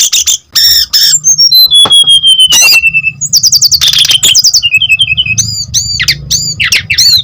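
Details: Vigorous brown-chested jungle flycatcher singing, played to lure and tutor untrained birds: long drawn descending whistles, buzzy bursts, repeated short slurred notes and a string of quick chirps, with faint low hum.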